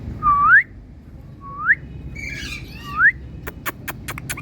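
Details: Indian parrot calling, three clear whistled notes, each a low steady tone sliding sharply upward at the end, spaced about 1.3 seconds apart, followed by a run of sharp clicking taps.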